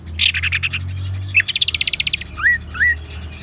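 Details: Orange-headed thrush, ngeban song style used to spur caged birds into song: a buzzy stuttering start, a rapid even trill of about twelve notes, then two clear rising slurred whistles.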